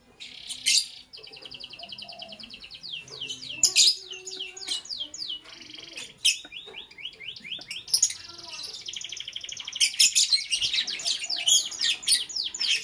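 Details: Lovebird chirping in the morning: long buzzy rattling trills mixed with fast series of falling chirps and loud piercing shrieks, becoming a dense, excited chatter toward the end.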